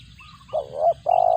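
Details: Spotted dove calling while feeding its chicks, a call likened to a cricket's; two short mid-pitched cooing notes, a wavering one then a steady buzzy one, over faint background bird chirps.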